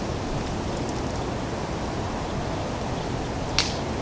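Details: Steady loud broadband hiss like rushing air or water, broken once by a single sharp snap near the end.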